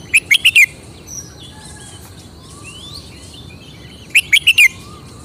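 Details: Red-whiskered bulbul kept as a cage bird, singing its characteristic phrasing: a rapid run of four clear, sharp warbled notes, a pause of over three seconds with faint distant bird whistles, then a similar four-note run.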